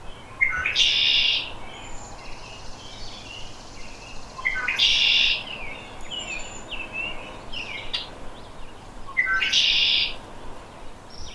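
A Red-winged Blackbird gives three shrill phrases about four seconds apart, each a brief clicking lead-in followed by a harsh, buzzy trill, over quiet outdoor background.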